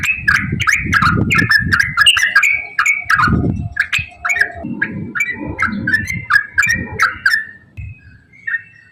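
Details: Yellow-vented bulbul in fast 'ropel' song, played to stir other bulbuls into song: chattering runs of warbled whistles that slow and thin out toward the end, over intermittent low rumbling noise.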